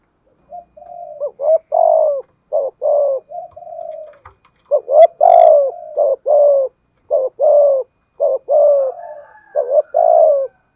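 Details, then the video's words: Spotted dove kept as a decoy, 'thổ' voiced, performing a steady 'thúc gù' coo: series of deep, throaty, evenly spaced coos, some doubled, each with a slight falling tail, with a brief click near the middle. "chim cu moi thúc gù bài bản"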